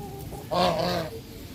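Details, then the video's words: Bangladeshi goose giving a single loud, harsh, nasal honk lasting about half a second, with a rich stacked tone, against a quiet background. "Bangladeshi Goose Making Loud Sounds"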